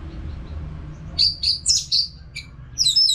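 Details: Orange-headed thrush singing without pause, used to train caged birds: a quick series of bright, high whistled notes repeated several times, ending in a jumbled burst of high twittering.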